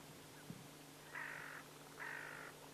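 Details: Wild great black-headed gull, a winter visitor, filmed at the Kuma River mouth, Kumamoto, Japan, and in Bayankhongor, Mongolia. Two drawn-out, hoarse, nasal calls about a second apart, each lasting half a second, over a faint low hum.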